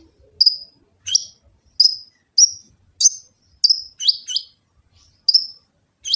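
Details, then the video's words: Kolibri ninja sunbird from Gresik, East Java, recorded on an Android phone as a training song: single sharp high tsip notes, some doubled and downslurred, repeated roughly every half second to second, clean background. "Kicau burung kolibri ninja full isian"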